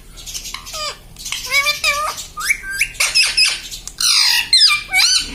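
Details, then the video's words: Talking pet parrot repeating words like papa, mummy and radhe radhe: dense chatter of high squeaky and squawking syllables, rising and falling, ending in harsher louder squawks, recorded in a small room. "papa papa bolne vala parrot || parrot talking mummy papa"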